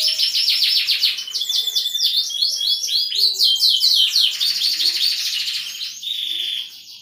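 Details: Canary performing a melodious cengkok song, a torrent of rapid downsweeping chirps merging into a loud rolling trill, followed by a sustained buzzy note and fading toward the end.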